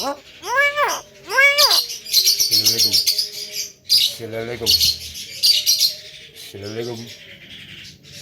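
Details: Male Javan myna chattering and imitating talk: arched, nasal, voice-like syllables alternate with harsh, hissing bursts in a loose, irregular sequence. Some lower, buzzy notes are mixed in, and the recording is fairly close and loud.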